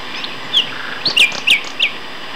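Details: Common nightingales, two males, singing at Castor Hanglands near Peterborough in May 2012; short sharp whistled phrases descending from high to mid pitch, about four spaced notes over two seconds.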